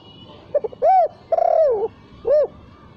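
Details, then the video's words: Spotted dove lure coo without the closing kuk: soft stuttered lead-in, a rounded hoo, a long drawn-out wavering coo, then a short arched final coo, clear against faint background hiss. "Pancingan untuk Burung Tekukur tanpa KUK"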